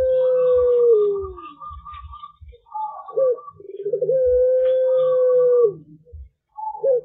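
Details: A young Barbary dove (puter pelung) in the morning, learning its song, gives long, mellow coos that hold one pitch then sag at the end; a second coo follows, and fainter coos from other doves answer.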